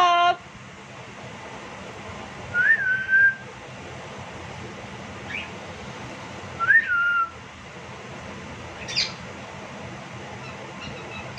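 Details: A male cockatiel gives loud whistled calls that rise then drop, about four seconds apart, throwing a jealous tantrum for attention while the female plays with the owner.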